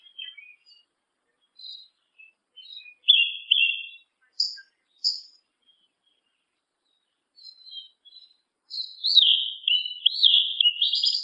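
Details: Yellow-legged Thrush (sabiá-una) singing high, thin whistled notes and short squeaky phrases, building to a rapid warbled run. No other sounds are heard.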